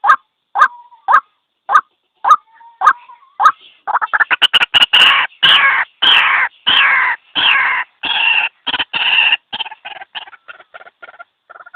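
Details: White-breasted waterhen (ruak-ruak) call used as a trapping lure. It opens with spaced croaks joined by short whistled tones, then breaks after four seconds into a dense, loud, harsh chatter of rapid overlapping notes that slows toward the end.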